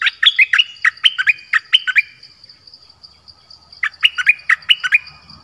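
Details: Streak-eared bulbul singing two bursts of quick, sharp chirps, notes sweeping up and down in short paired and tripled figures, with a pause between bursts; a steady high whine continues underneath.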